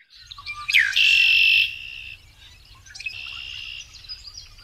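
A Red-winged Blackbird gives its conk-la-ree twice: a few short liquid notes, then a long, harsh, buzzy trill held for about a second.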